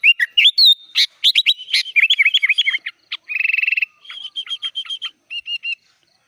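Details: Energetic sooty-headed bulbul singing with many inserted phrases, made as training material: loud varied whistles and slurs, a fast warbled stretch, a dense buzzy trill lasting under a second, then softer scattered notes.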